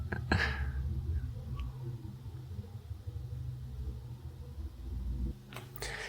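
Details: Steady low engine rumble from a vehicle on a South Africa trip, with a few sharp clicks near the start and end and no animal voices.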